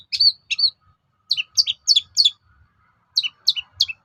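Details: Song of a long-tailed shrike aimed at provoking other shrikes to answer: clipped two-part high notes dropping in pitch, given in short groups of two to four with pauses.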